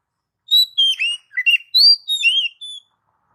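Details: Oriental magpie-robin used to lure pet birds, giving a melodious phrase of about seven sweet whistled notes, some sliding down and others up, ending on a softer note.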